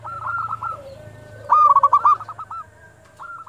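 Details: Zebra dove at dusk, used to lure and stimulate other doves; a faint phrase, then a loud burst of rapid trilled coos around the middle, over a steady low hum.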